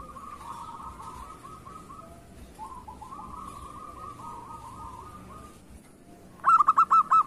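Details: Local zebra dove, an actively singing bird kept as a lure, gives long runs of soft rolling coos at a steady pitch, then a quick burst of clipped, stuttering notes at the end.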